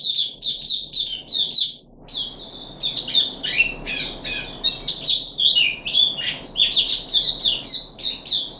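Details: Puff-backed bulbul kept caged, third day of a deworming course, 14 July 2021, chattering in quick high chirps, pausing briefly, then resuming with a denser, busier stream of sharp, varied notes.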